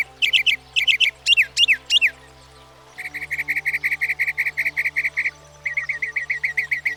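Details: Northern Mockingbird, able to learn up to 200 sounds, gives grouped stacked chirps, a pause, then a rapid train of identical short notes, a brief break, and the same notes resumed. Quiet background hum.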